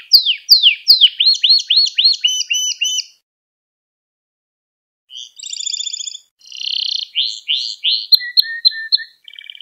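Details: Song of a Gloster canary, played to stir other canaries into singing: fast repeated upward-curving notes for three seconds, a pause of two seconds, then buzzy rolls and rapid chirp series.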